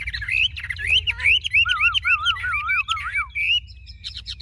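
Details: A large-bodied Chinese hwamei sings a rich, fast run of loud looping whistles, rising and falling phrases tumbling one into the next, with a low hum underneath.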